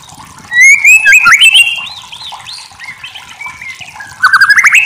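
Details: White-rumped shama in a masteran song recording: bright whistled phrases rising and sliding, with quick chattering notes, softer warbling in the middle and a loud burst of rapid notes at the end.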